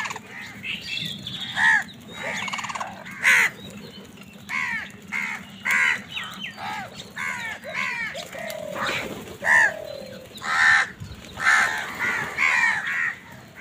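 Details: Several crows give harsh, hoarse caws in quick bursts while fighting wild birds for food, with other birds chattering underneath.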